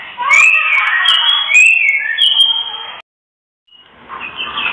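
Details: Oriental magpie-robin female uttering kretekan notes to bring males into breeding condition: a dense run of whistled slurs with crackling edges, a brief silence, then softer chattering resumes.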